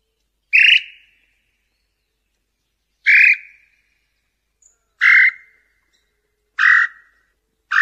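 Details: Nambu pé roxo, a tinamou, with a song used to attract male and female: single loud, clear whistled notes with a slight downward tail, repeated every one and a half to two and a half seconds against silence.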